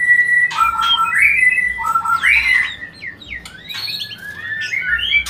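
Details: White-rumped shama song used as a lure to stimulate mating: loud, clear whistled phrases with slurred notes sliding up and down, giving way to quicker, scratchier varied notes in the second half.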